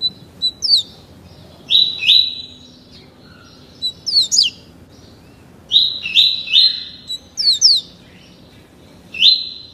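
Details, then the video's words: Double-collared seedeater, a caged juvenile of about 30 days tutored in the tuí tuí Alcântara style, sings repeated whistled phrases of steep falling slurs and steady high notes, grouped in bursts. "COLEIRO FLASH ENCARTADO NO CANTO TUÍ TUÍ ALCÂNTARA COM APENAS 30 DIAS"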